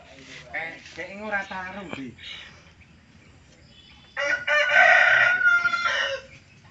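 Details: A female chicken crowing. Indistinct speech fills the opening seconds, then a rough, drawn-out crow rings out for nearly two seconds, rising harshly and tapering off.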